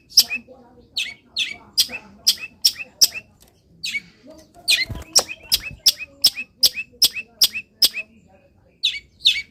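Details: Morning song of a caged long-tailed shrike after misting, rapid series of high sharp chirps, more than two per second, with a brief pause midway, faint low background noise throughout.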